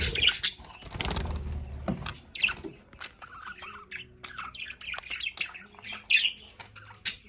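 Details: Pet budgerigars in a home play area give sharp squawks and clicking, twittering chatter, opening with a burst of noisy flutter and thumping before the chirps continue.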